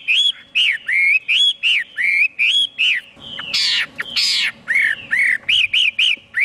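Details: Chinese hwamei repeating a bright, looping whistle in a regular series, interrupted midway by two loud, grating, noisy bursts before the looping whistles return.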